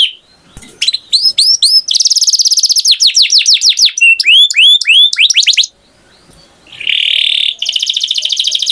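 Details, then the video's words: Canary song of quick looping whistles and dense high trills, a second of near silence, then a buzzy tone and a fast rattling trill. "Canary Singing Beautifully"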